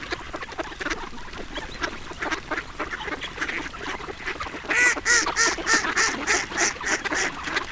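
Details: Ducks being fed, giving a busy stream of short nasal quacks that overlap, then a louder run of harsh, regularly spaced honking quacks from a nearby bird in the final three seconds.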